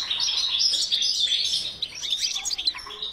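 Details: European goldfinch in a breeding aviary singing a quick, bubbling run of high twittering notes and trills without pause.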